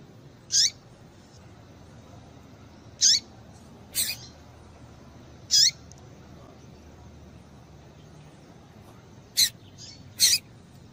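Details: Female double-collared seedeater calls to stir up a male: high, thin descending chirps at uneven intervals of one to two and a half seconds, ending with two quick sharper notes close together. Low background hiss throughout.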